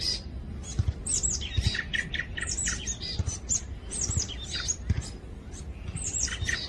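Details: On a Sunday morning on Wonmisan mountain in Bucheon, Korea, a Grey-backed Thrush sings varied, fluty phrases among the high, quick chirps of marsh tits.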